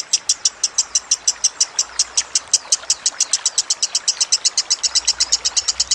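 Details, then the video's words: Lovebird song for training other cage birds, a long run of quick high-pitched chips at a steady pace, with a faint low rumble in the background. "Masteran Lovebird Kusumo"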